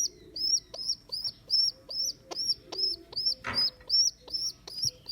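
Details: Squeaking of a rescued baby rock pigeon whose mother abandoned it, day two in care: a steady run of high, slightly rising-then-falling peeps, about two and a half per second, with a brief rustle midway.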